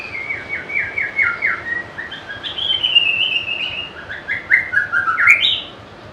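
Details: White-rumped shama, a popular cage bird noted for varied song and mimicry, singing a rich phrase of loud whistled notes that slide and dip between mid and high pitch, ending in a bright rising flourish.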